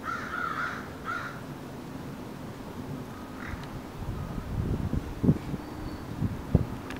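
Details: Crows recorded on September 9, 2014: two short, harsh caws open the recording, one longer and one clipped, followed by low rumbling background noise and a few dull knocks.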